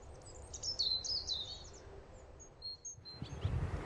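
Barn swallow twittering in a fast, high jumble of chirps and short thin whistles, with low rumbling background noise and a bump near the end.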